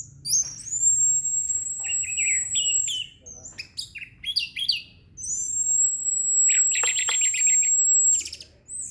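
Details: Orange-headed thrush singing in a relaxed state: long, very high, thin sustained whistles lasting over two seconds, alternating with bursts of varied rapid chirps and slurred notes at lower pitch, with faint low background noise.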